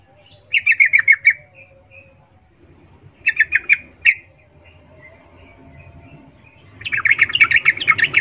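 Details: Female sooty-headed bulbul calling to males with a mating call, used as a lure for males: bursts of bright chattering, bubbling notes in three spaced runs, the last one long and dense, over a low background hum.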